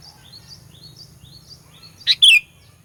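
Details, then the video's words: In a lure recording meant to anger rival birds, a sooty-headed bulbul gives one loud, sharp chip-and-slur phrase after a run of soft, repeated high twitters from other birds. "Burung Kutilang Pikat Gacor Fighter, Paling Jago Mendongkrak EMOSI Kutilang LAWAN"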